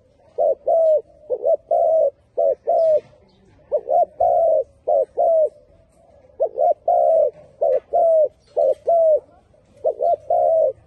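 A spotted dove gives soft, low, hollow coos in short phrases of three to four notes, repeating about every three seconds, with nothing else heard.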